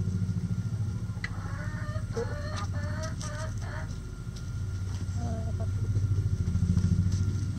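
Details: Chickens in a backyard flock: a quick series of clucks rising into a loud, repeated cackle over about two seconds, then a few softer calls, set against a strong continuous low hum.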